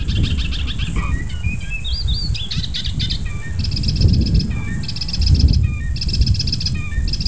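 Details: Icterine warbler turning up in early July, song mimicking other birds: varied whistles, rising and falling slurred notes and buzzy, rattling bursts in quick succession, with constant low rumbling noise beneath.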